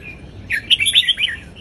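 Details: Southern Thai folk-style song of an Indonesian red-whiskered bulbul, meant for teaching chicks and rousing birds: one brisk phrase of five or six bright, bubbling whistled notes rising and falling, in a quiet background.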